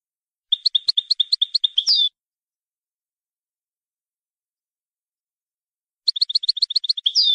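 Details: Syrian European goldfinch performing a certified song style numbered 31: two bright, high phrases of quick repeated twittering notes, each ending in a rising buzzy flourish, separated by about four seconds of silence.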